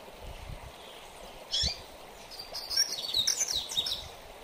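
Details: High single note from a double-collared seedeater, then a rapid, tumbling phrase of bright whistles and trills in the mateiro song style, a style valued for training because most coleiros become excited hearing it.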